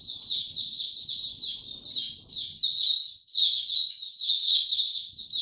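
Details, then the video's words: A kept white-eye without health supplements sings a dense stream of high, sweet chirps and trills, which briefly softens and then resumes louder and busier halfway through. Recorded 29 April 2022. "Mata Puteh Hercules buka sing"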